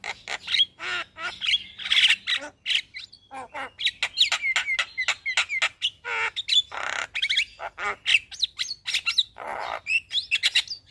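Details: Morning song of a caged Javan myna, used as a master recording for training birds: a dense, harsh stream of squawks, rasping notes and short whistles, varied and almost continuous.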